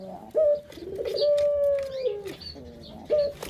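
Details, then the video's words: Captive puter dove lure sound for stimulating other birds: a crisp rising note, a burred roll, and a single long smooth coo that falls away at the end, closing with another sharp note. "Pancingan Burung Puter Paling Keren"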